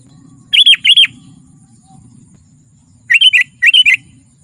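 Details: Lure and training recording of a sooty-headed bulbul singing: two pairs of short chattering, warbled double notes, the pairs separated by about two seconds of near silence, with faint low hum underneath.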